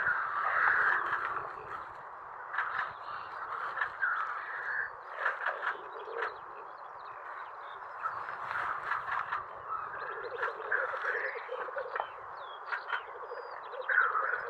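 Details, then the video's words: A rackelhahn, a capercaillie × black grouse hybrid, gives a steady run of harsh, croaking, crow-like calls, broken by louder grating bursts every second or so. "Korpimetso, Rackelhahn"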